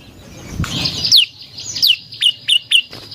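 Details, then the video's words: Prinia song used as a lure for other birds: a noisy rustle, then clear whistled notes slurring steeply downward. Four shorter down-slurred notes follow in quick succession. "Suara Burung Prenjak Lumut | Pancingan Prenjak Lumut Isian Sekali Denger Langsung Nyaut"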